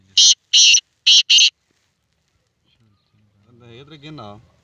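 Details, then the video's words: Black francolin calling: four harsh, rasping broadband bursts in quick succession, then a short low voice-like sound after a pause. "Black Francoline voice/Kala Teater boli/سندھی تیتر بولی"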